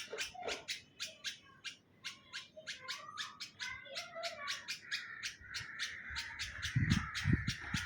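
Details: Bulbul nesting in a neem tree in Hyderabad, Sindh, Pakistan, giving sharp, bright chirps about twice a second, with a few lower liquid notes early on and a brief low rumble near the end.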